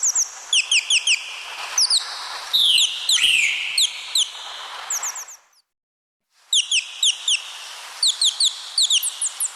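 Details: Parrot chirps tumble in fast, bright, descending notes with a harsher burst around the third second, stop for about a second, then resume in the same quick rhythm.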